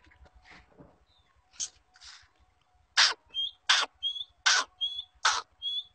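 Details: Trained female black francolin (kala teetar) calling: a series of loud, harsh, broad rasping bursts about every three quarters of a second, with short thin whistled notes between them. Softer sounds come before the series.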